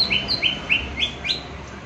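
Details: Green leafbird, a bird prepared for contest hanging, 'tembakan' bait sound: five quick, bright rising notes, evenly spaced, over steady background noise.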